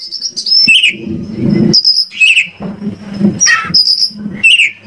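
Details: Oriental magpie-robin (kacer) from Indonesia, used as a lure to make other kacer sing and answer: loud high whistled phrases and sharp chirps, some rising and some sliding, in short bursts over a low rumbling, clattering background.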